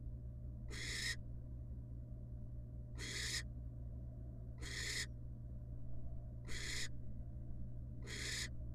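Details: Wild barn owl at a research-monitored nest box, the female back with her babies after casting a pellet; five rasping, noisy hiss bursts spaced roughly two seconds apart over a steady low hum.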